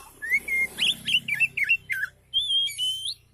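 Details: Relaxed oriental magpie-robin song, used to coax reluctant magpie-robins into singing: a steady whistled note, then quick sweeping, slurred whistles and chips, ending in a long bright held whistle that rises at its end.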